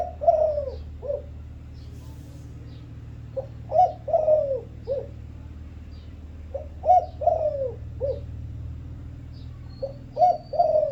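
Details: Thai vân rồng spotted dove giving three repeated coo phrases. Each has a short lead-in, a rich coo and a drawn-out falling note, ending with a brief soft coo. A quiet steady background hum runs throughout.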